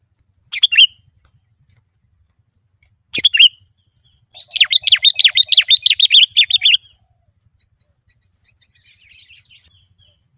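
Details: A sooty-headed bulbul, in a recording meant to lure wild bulbuls closer, gives a brief bubbly phrase, then a two-second run of fast, liquid, rising-and-falling notes, about a dozen in quick succession.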